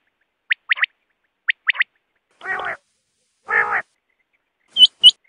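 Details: Wild quail calling, recorded for net hunting: two sharp three-note phrases at a steady pace, then two harsh nasal buzzy growls, ending with two thin high clicks. No background noise.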